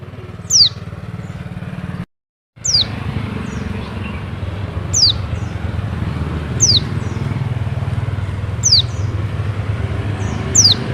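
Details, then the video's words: Bali Oriental white-eye in dakun call style, used to lure or stimulate rival white-eyes: a single thin descending whistle repeated roughly every two seconds over constant motorcycle and engine drone, with one brief silent gap. "CALL PLECI DAKUN BALI"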